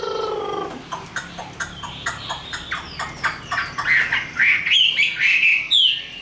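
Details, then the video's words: Caged, tame Chinese hwamei in fighting song, opening with low harsh notes and a series of short clipped chips, then building into loud rising whistled slurs toward the end. "Họa mi số 1120 Chim thuần 100% sách tay hót đấu đá rất tốt"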